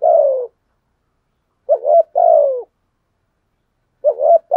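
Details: Prompting and calling coos of a spotted dove kept as a lure: a sustained descending coo, then a wobbling short note plus long coo, each phrase separated by over a second of quiet.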